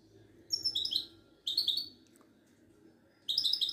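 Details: Moroccan Widani goldfinch, a caged songbird at a Casablanca bird market, giving three quick bursts of liquid, tinkling twitters with buzzy high notes, separated by short silent gaps, with a low indoor hum beneath.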